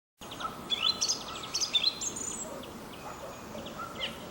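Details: Song thrush singing in spring from high in an ash tree at the edge of an old oak forest near Sudak, Crimea, marking its territory; varied bright whistled and chirping phrases in short bursts, with other birds faint behind.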